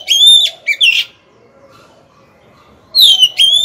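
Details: A decoy Oriental magpie-robin (Copsychus saularis) sings to lure rival males into fighting, giving two bursts of loud, clear, high whistled notes, some steady and some sliding, separated by about two seconds of quiet.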